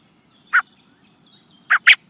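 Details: A young common blackbird, filmed in the Netherlands, gives a single sharp chirp, then after a pause two quick chirps in a row, with near silence between.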